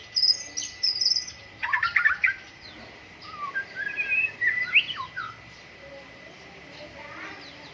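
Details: Shama song during morning dew airing. High thin notes and a burst of clicking chatter lead into warbled whistled phrases that fade toward the end.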